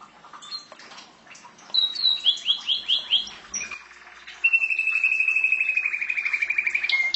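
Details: Song of a domestic canary, opening with scattered chirps, then a rhythmic set of swooping whistled notes, followed by a long, fast, even trill of repeated notes lasting nearly three seconds.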